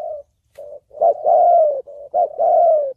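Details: Close, loud spotted dove cooing in the 'thổ bầu' style for luring, trapping and decoy training: soft low notes lead into a strong, drawn-out coo that slides gently downward, repeated once.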